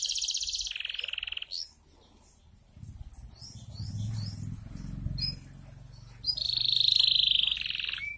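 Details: Canary delivers a high rolling trill and buzz, pauses during low rumbling background noise, then resumes with a strong, steady trill.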